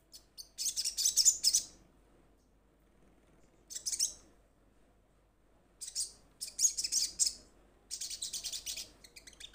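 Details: Crimson Sunbird calling to its companions: bursts of very high, rapid, buzzy trilled chatter, each lasting about a second, separated by short silences, with a faint low room hum beneath.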